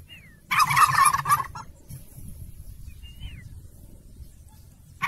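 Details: Turkey gobbling: one loud, rapid, rattling burst lasting about a second, then a short echoing tail. Thin whistled chirps from another bird come before and after, and a second gobble starts at the very end.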